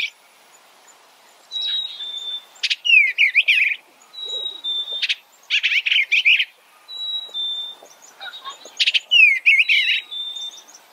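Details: Eastern bluebird phrases come in four clustered bursts of jumbled warbling and descending slurs, each preceded by a thin steady whistle, with quiet gaps of about a second between them.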